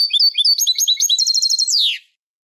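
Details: Eurasian goldfinch, Malaga Manolo copla style, recorded to tutor young goldfinches and hybrids: a loud, rich two-second phrase of twittering notes that speeds into a rapid trill and ends in a buzzy descending slur.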